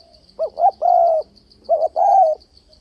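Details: Spotted dove lure call for fight-trapping: two short rising notes then a long even coo, repeated once, mellow and mid-pitched, with a steady high pulsing tone in the background.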